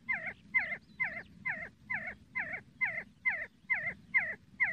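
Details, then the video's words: See-see partridge giving around eleven crisp, hooked whistle notes in a rhythmic sequence, a little over two per second, with faint low ambient noise beneath. "See See partridge sound Кабги Зирак Шикор"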